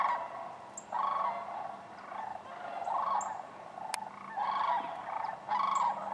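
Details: Bugling sandhill cranes at Wheeler Wildlife Refuge, Decatur, January 12, 2013, with other waterfowl nearby: repeated rattling, rolling calls in loud waves, answered back and forth across a busy flock, plus one brief click.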